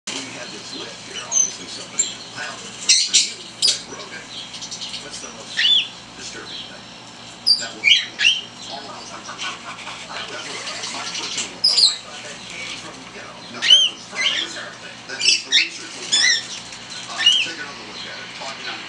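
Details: A pet female cockatiel about 3 months old chatters in quick, high chirps and short whistled sweeps, scattered irregularly through the clip.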